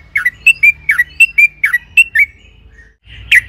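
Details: Yellow-vented bulbul chattering song played as a lure for other bulbuls: about nine crisp, dropping chirps at a brisk pace, then a brief gap and one final sharp note.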